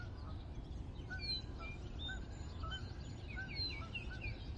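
Several geese passing overhead give short, nasal honks, overlapping and irregular, over a steady low rumble of wind.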